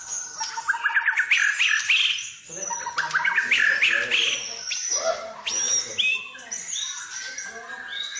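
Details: White-rumped shama song played to stimulate other birds to sing, full of filler phrases: dense, varied bursts of whistled and chattering notes, rising trills and sharp chirps tumbling quickly, with an abrupt break near the middle and faint low murmur beneath.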